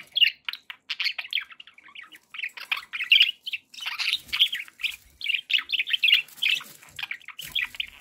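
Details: Happy domestic budgerigars chattering without pause: bright, scratchy chirps and twittering phrases come about every half second, uneven in rhythm, in a quiet setting.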